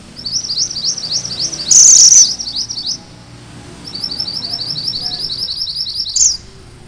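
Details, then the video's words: Rolling 'ngerol' song of a Sunda bush warbler, kept as master material for magpie-robins: a long chain of quick, thin, rising sawtooth notes, one harsh high burst in the middle, a pause, then another chain. "Suara MANTENAN GUNUNG MERAH GACOR"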